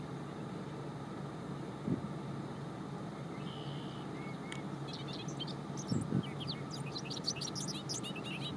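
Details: A Bobolink, recorded 19 May 2018, pours out a rapid, bubbly jumble of high, metallic, tinkling notes in the final few seconds, over a steady low rumble of passing traffic.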